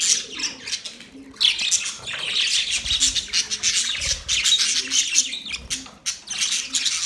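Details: Budgies chattering together: overlapping high twitters and warbled chirps, starting quieter and then swelling into a busy, steady stream of rapid notes with occasional sharper squawks.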